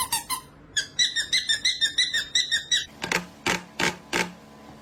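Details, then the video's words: Pet parrot mimicking sound effects such as camera clicks and pencil scratching: a quick run of bright, harmonic electronic-style beeps, then four sharp, dry clicks spaced under half a second apart in a small room. "These parrots needs a sound effects job"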